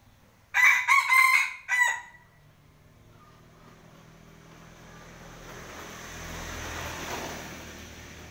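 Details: A rooster at home crows once, loud and harmonic, the call broken into several segments over about one and a half seconds. It is followed by quiet, then a slowly rising low rumble.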